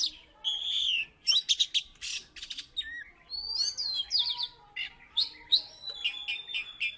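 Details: Oriental magpie-robin from Salatiga, once placed third in a contest, pours out song: sweet whistles, harsh buzzy bursts and a final run of quick repeated clear notes.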